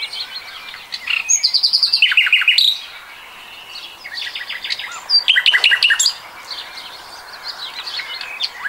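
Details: Common nightingale in 2020 singing phrases of evenly repeated notes, first a high series and then a lower one, followed after a pause by another run of quick repeated notes and faint twitters.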